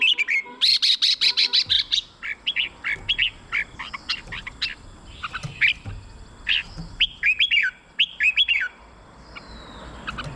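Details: Red-whiskered bulbul song played to excite caged birds; a rapid burst of high sharp notes opens, followed by a steady run of bright, fluty whistled phrases, each a few quick rising and falling notes with short gaps between.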